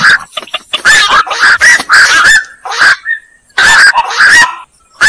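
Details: Black-crowned night heron giving harsh, hoarse croaks in quick bursts, several overlapping, with short silent gaps between clusters of calls.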